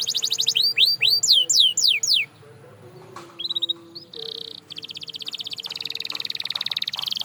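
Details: Canary song used to prompt quiet canaries into singing, opening with loud sweeping slurred notes, a short pause, then fast buzzy high rolls building steadily louder.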